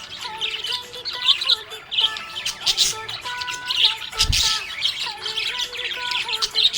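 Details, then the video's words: Happy budgie chirps and warbles continuously in quick high notes, with one loud harsh burst just past the middle, over a backing of soft music. "Happy budgie chirping sound"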